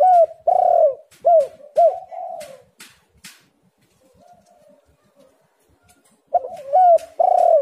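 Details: Spotted dove cooing as a lure for reluctant birds: a run of strong, bent coo notes, then a quiet gap with faint cooing, and a loud burst of repeated coos at the end, with clicking noises.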